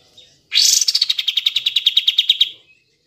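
Sooty-headed bulbul giving a loud, rapid run of about twenty bright chirps in two seconds, opening with a burst and steadying into an even chatter; otherwise quiet.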